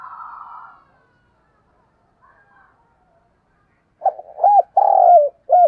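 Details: Spotted dove used as a decoy, cooing to call in wild doves: a brief buzzy, higher-pitched sound opens, then a pause, then one phrase of low hooked coos with a long, slightly falling middle note.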